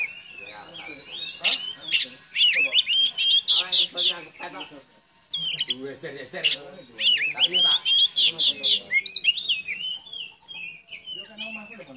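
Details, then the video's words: Oriental magpie-robin kept at home, not a contest bird, sings to provoke replies from other magpie-robins: loud rapid bursts of whistled notes and scratchy trills, several per second, with a short pause midway before resuming. "Kicau kacer, dijamin kacer lain bakal nyaut"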